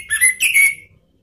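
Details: Orange-headed thrush lure call used to provoke rival birds: two quick whistled phrases, the second longer and gliding down, over a faint low hum.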